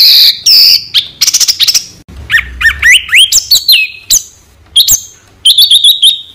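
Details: White-rumped shama training song used to coach competition songbirds: a rich, varied run of clear whistles, quick chips, rising and falling slurs and fast trilled notes, ending in a string of high repeated whistled phrases.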